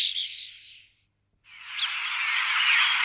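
A Common Starling gives harsh, rasping screeches, one second-long burst, a brief pause, then a longer grating stretch with faint whistled notes woven through it.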